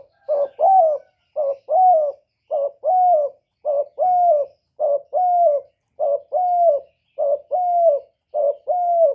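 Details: Spotted dove call used to lure wild doves: about eight two-part cooing phrases in steady succession, each a short low coo followed by a longer, rolling, slightly falling coo, separated by brief pauses.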